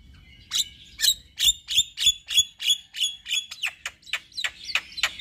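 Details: Song of a white-eyed male Javan myna used to prompt other mynas to sing: an evenly repeated series of sharp, ringing clicking notes about three per second over soft background noise.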